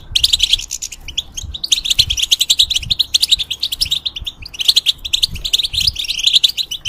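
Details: Bred goldfinch in a cage, in moult, pours out a rapid, jingling, twittered song. One short pause falls near the first second, then sustained tinkling phrases follow to the end.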